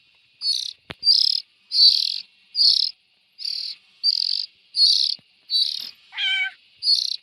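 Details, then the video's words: Young bulbuls repeating scratchy hissing bursts at a fairly even pace, broken once by a clear, rising, whistled note with harmonics near the end. "Tiếng chim chèo non.suab mi nyuam noog siv txaij"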